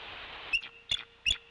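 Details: Female bald eagle on the Decorah nest, 16 February 2021, calling for her mate to relieve her on brood duty; three sharp, high squeaky notes about 0.4 seconds apart over a faint steady hum.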